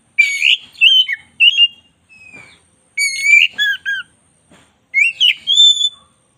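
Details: White-rumped shama, black-breasted form, delivering a training song: clusters of loud whistles dipping and rising, harsh buzzy overtones, separated by short gaps with a few faint clicks.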